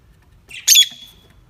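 A parrot gives a single short, harsh squawk against a quiet background.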